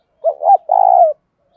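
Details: Spotted dove kept as a decoy bird, calling to provoke fighting: two quick rising-falling hoots followed by one long, purring, slightly falling coo, clean with no other sounds.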